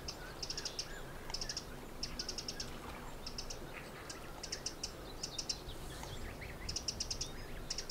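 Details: Little grebes, two adults with small chicks in the Egmond dunes, Netherlands, while the adults collect food; rapid clusters of shrill high peeps repeat every second or so, with scattered lower chirping notes over a steady low rumble.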